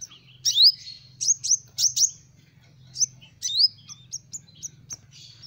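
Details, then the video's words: Sunbird, locally kolibri ninja, singing as bait for small birds: a string of bright, piercing upsweeping whistles in quick pairs, followed by a run of short high tinkling notes fading toward the end. "Suara burung Kolibri Ninja Buat Pikat burung Kecil"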